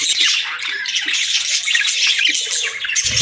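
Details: Continuous budgie warbling, a busy mix of scratchy squawks, chirps and rapid twittering notes from parakeets, with a soft low knock at the very end.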